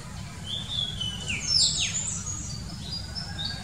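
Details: Wild Oriental magpie-robin singing: clear whistled notes, some held and some sweeping steeply down, in a quick varied phrase over a steady low rumble of background noise.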